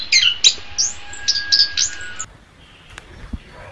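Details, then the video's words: Orange-headed thrush in song, meant for training other cage birds: about two seconds of quick, bright, slurred whistles and chips, then near silence with a faint low knock. "SUARA BURUNG - Masteran Terbaik Anis Kembang"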